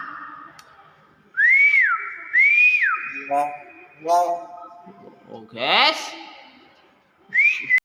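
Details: Common hill myna giving two loud up-and-down whistled notes over a held tone, then short nasal harmonic calls, a harsh rasping burst, and a final rising whistle.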